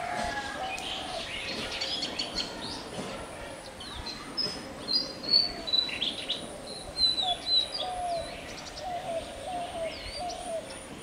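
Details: Magpie robin, national bird of Bangladesh, giving a long run of varied whistled notes and short slurs, louder in the middle, over a continuous low hum.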